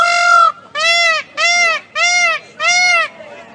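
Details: A white peafowl gives five loud, nasal, trumpeting calls in quick succession, each about half a second long, with brief gaps between them.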